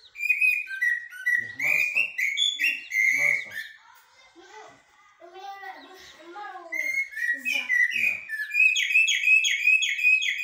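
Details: Common blackbird, known locally as jahmumiya or shahrour, singing in the haddadia and military song styles: bright, harmonic-rich notes around mid-high pitch delivered in quick varied runs, a quieter patch midway, then rapid repeated phrases, with lower murmuring sounds beneath.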